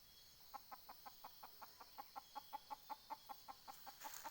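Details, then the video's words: Decoy junglefowl hen used to lure wild fowl, recorded 20 April 2020: a quiet, fast run of evenly spaced short clucks, about three per second, growing slightly louder toward the end over a steady high hiss. "ไก่ต่อแม่กะตาก poj qaib dib tsauj zoo cuab heev"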